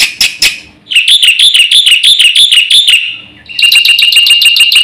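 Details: A few harsh scratchy notes from a black-winged myna lead into two long bouts of fast, shrill, pulsing notes in its vigorous filler-song style, with a quiet pause between them.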